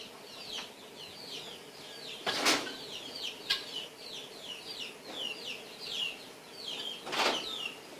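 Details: Three helmeted guineafowl (Numida meleagris) eating breakfast chatter in quick, high, chirping notes, broken by a few sharp bursts of flapping or scuffling.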